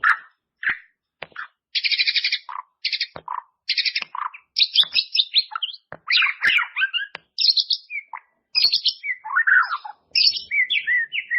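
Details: White-rumped shama (murai batu) training song for caged birds, meant to help them bring out their full repertoire: clean sequence of short chirps, buzzy trilled bursts and whistled notes, closely spaced with tiny silent gaps throughout.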